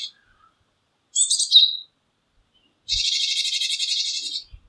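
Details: Japanese tit calling: one short chirpy burst of high notes dropping to a lower tone, then after a pause a long, harsh, buzzy scolding rattle of about one and a half seconds.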